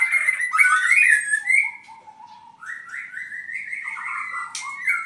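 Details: Purwokerto albino white-rumped shama singing loud chattering whistles, then softer slurred notes and a run of rising, evenly spaced whistled phrases.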